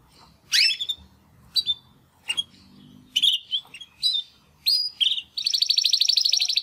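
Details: Two young Timbrado canary brothers, caged males hatched in 2020's second breeding round, practising song after their first molt: scattered sharp chirps and rising whistled notes, then a fast buzzy trill closing the phrase.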